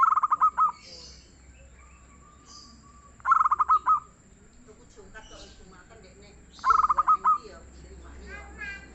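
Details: Local zebra dove, a busy singer with a soft tone, repeats its rolling coo three times about three seconds apart, each phrase a burst of quick pulses ending in longer notes, with faint chirps from other birds.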